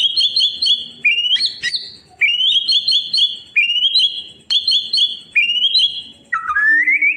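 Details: Tutoring song of a White-rumped shama for birds gone quiet: repeated clear whistled phrases with sharp upward flicks, delivered in bursts about every second, ending with a rising whistle.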